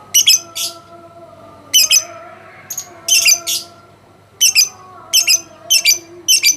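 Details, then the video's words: Champion contest lovebird from a presidential cup event producing clustered bursts of shrill, scratchy chattering notes, grouped in twos and threes with short pauses, against low steady background tones. "Burung lovebird juara1 piala persiden"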